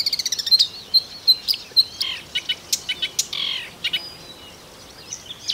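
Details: Marsh warbler in Russia opening with a quick run of ticking notes, then high thin whistles and scratchy chattering phrases in a fast, varied sequence.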